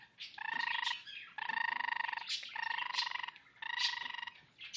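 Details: Pet Goldie's lorikeet courting its owner's hand with purring sounds: four long buzzy, throbbing harmonic purrs, each about a second, separated by short pauses.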